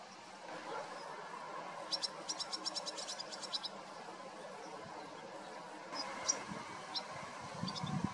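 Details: Two large, fledged barn swallow chicks being fed by their parents give a quick burst of high, thin begging chirps, a dozen in under two seconds, then a few scattered calls over a steady background hiss.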